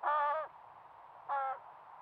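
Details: A young crow in Nova Scotia, Canada, begs its parent for food beside a brook: two drawn-out, nasal, harmonic-rich caws, the first about half a second long, the second shorter after a pause, over a low background hum.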